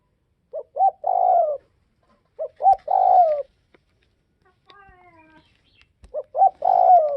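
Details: Spotted dove from northwest Vietnam cooing clearly: three phrases, each two short rising notes then a longer, hoarse, gently descending coo, repeated about every two and a half seconds in a quiet setting.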